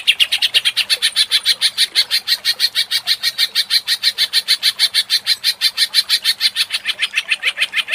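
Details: Greater green leafbird singing agitated ngentrok: an unbroken eight-second stream of fast, rhythmic, buzzy high notes at an even pace.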